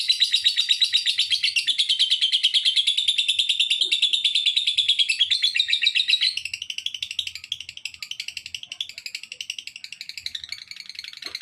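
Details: Lovebird chattering meant to draw other lovebirds into calling along, a dense stream of fast, high, buzzy repeated notes, loud and steady at first, then slightly softer and more broken after the midpoint.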